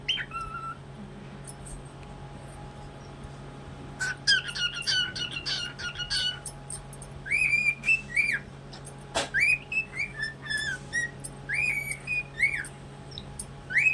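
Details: Cockatiel (Nymphicus hollandicus), song.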